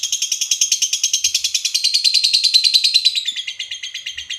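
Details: Ngekek chatter from a lovebird, played as a lure to set off other lovebirds: a rapid, unbroken, shrill chattering trill that slides slightly lower midway, then steadies, with a soft thump.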